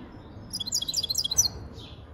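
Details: European goldfinch singing a rapid, high twittering run of tinkling, jingling notes lasting about one second, with a short buzzy note after it over quiet low background hum.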